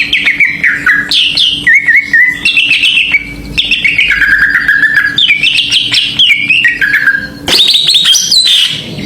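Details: Greater green leafbird singing, used as a lure to provoke other birds: flowing whistled warble with rising and falling slurs, then an abrupt louder burst of sharp high notes near the end, low hum beneath.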